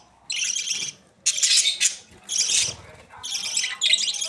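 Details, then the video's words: Budgerigar chicks in Pakistan make longer, uneven rasping bursts, some rougher and louder, separated by irregular short pauses. "Parrot Sounds Australian Parrot Chicks"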